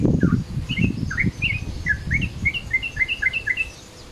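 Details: Midday-style Yellow-vented Bulbul calls meant as a lure: quick bright chirps come in a steady chattering series that speeds up toward the end, over bursts of low thumping noise early on.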